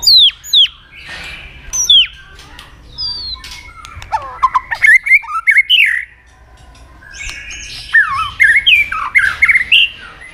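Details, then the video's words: White-rumped shama in strong song, a lure recording for provoking other shamas: high downslurred whistles spaced apart, then bursts of tumbling, twisting notes in varied phrases separated by short silences. "pancingan murai batu gacor"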